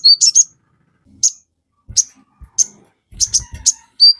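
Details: Sogon used as master recording for caged sogon: short clusters of very high, sharp chips, then single chips spaced about half a second apart, closing with a quick burst and a thin whistled note.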